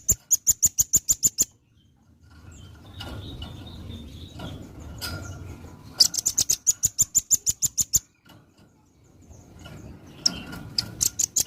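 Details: Velvet-fronted nuthatch (rambatan paruh merah) singing actively for a training recording for other birds: three bursts of rapid, evenly spaced piercing high chips, each run about ten notes, separated by pauses with faint hum and softer notes.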